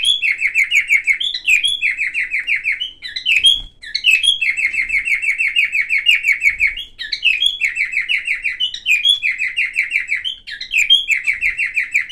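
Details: Silver cockatiel, a caged pet, singing a varied warble: rapid strings of short descending chirps repeated about three per second, broken by higher whistled notes and brief pauses, with faint indoor knocks.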